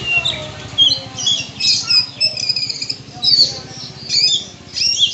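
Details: Oriental magpie-robin, called kacer, delivering a bongkar isian song: high piercing whistles and scratchy trills in repeated short bursts over a steady low hiss, with other birds faintly audible.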